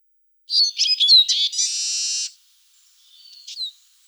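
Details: A Eurasian siskin (Spinus spinus) gives a quick burst of high, thin twittering notes ending in a drawn-out buzzy wheeze, then a fainter rising note after a pause.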